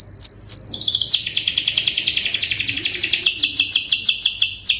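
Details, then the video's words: Canary singing as a training recording: a few quick descending whistles lead into a long, fast rattling trill that drifts lower, then climbs back to a higher rolling trill near the end. "MASTERAN KENARI MACET | CANARY SINGING"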